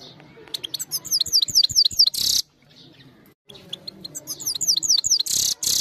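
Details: European goldfinch, a trained captive bird, singing on a phone recording: rapid high twittering notes with repeated descending slurred whistles, ending in a harsh buzzy burst, a brief pause, then the twittering and buzz again.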